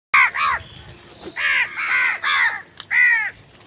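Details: Crows calling in a village: a run of about seven harsh, arched caws, some in quick pairs, with short quiet gaps between them.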